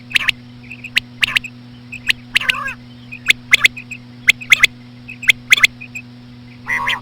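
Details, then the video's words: Female common quail calls aimed at attracting quail: regular three-note clicky phrases about every second, faint soft pips between, a couple of nasal harmonic notes, and a continuous electrical hum. "COMMON QUAIL CALLING WITH SLOW FEMALE QUAIL SOUNDS"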